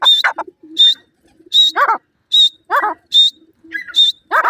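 Grey francolin chicks give high, thin peeps with harsher, falling chirps, repeated in quick bursts about every half second; nothing else is heard.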